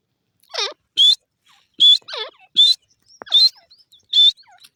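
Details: Grey francolin (desi teetar) uttering bright, high whistled notes interleaved with lower, descending quavering notes, repeated at irregular intervals of under a second, with a few faint soft chirps between them.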